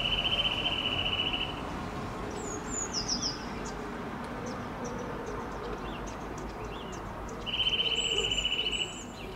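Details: Eurasian nuthatch giving a fast, even trill of high piping notes, heard twice, each lasting over a second, with a few faint higher chirps between, over a steady loud rushing background noise.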